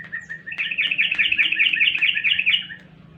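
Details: Sooty-headed bulbul song used as a lure to make other birds answer: a fast, bubbly chattering phrase of bright warbled notes lasting about two seconds, with a low steady hum underneath.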